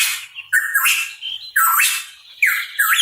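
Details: Hooded pitohui (cucak rawa papua) in vigorous song, a run of loud, rasping notes with whistled slides rising and falling inside them, delivered almost without pause over three seconds.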